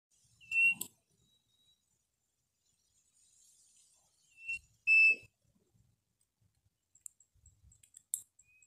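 A quail gives a few short, sharp, high chirps, spaced a few seconds apart, with soft clicks and rustling between them.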